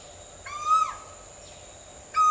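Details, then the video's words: Asian koel giving a loud, ringing note that swells then slides downward, rich with overtones, with a second call starting about one and a half seconds later over a steady background hum. "Mesmerizing Asian Koel Birds' Sounds"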